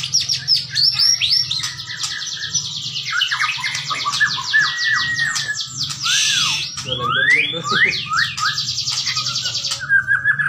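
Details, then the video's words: White-rumped shama of the Bahorok type singing a dense, varied song of rapid trills, buzzy rattles and slurred whistles, switching phrases every second or so, over a steady low hum. "Burung Murai Batu Bahorok"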